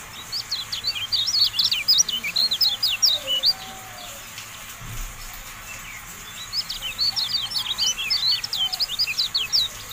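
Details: Javan white-eye song from a bird-training tutor track: two long bouts of rapid, sharp, high chirps, about two per second, separated by a quiet pause of roughly two seconds.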